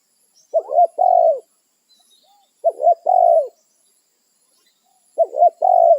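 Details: Spotted dove calling to its companions in the wild, a territorial bird: three phrases of two short rising-falling coos followed by a longer, slightly wavering coo, each phrase about two seconds apart, over quiet background.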